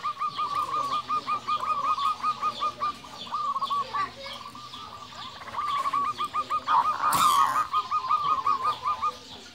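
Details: Local zebra doves singing 'nembak' lure song meant to stir other doves: dense overlapping runs of fast rolling coo notes repeating almost continuously, with a brief sharp noise burst partway through.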